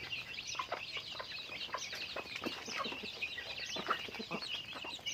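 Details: Chickens during their daily routine: a thick wash of high chirping chatter layered with quick repeated clucks, fairly even in loudness throughout.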